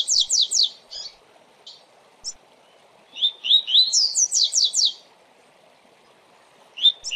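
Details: Double-collared seedeater (Sporophila caerulescens) singing the "tui tui zel zel fibra" song type, a recording for training captive birds: bursts of quick, high, downslurred whistled notes in rapid series with short pauses between phrases, over a faint background hum.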